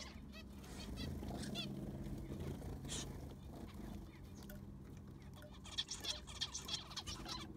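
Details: Zebra finches in an aviary being cleaned with fresh sand: a few nasal beeps at the start, a quiet stretch of low rumbling, then a late burst of bright overlapping calls.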